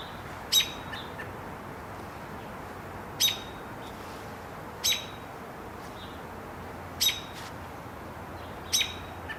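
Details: American robin alarm calls, which differ depending on whether the predator is aerial or on the ground: sharp, high, clipped notes repeated every two seconds or so over a steady background hiss.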